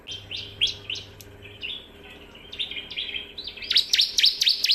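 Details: Bar-winged prinia song used to train other birds: softer buzzy chirps give way to a loud quick series of sharp falling chips near the end, with a faint low hum early on.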